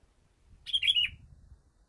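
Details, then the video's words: Sooty-headed bulbul calling a rival: a single short burst of bright, bubbly chirped notes lasting about half a second, ending in a quick downward slur, over a faint low rumble. "suara burung kutilang memanggil lawan"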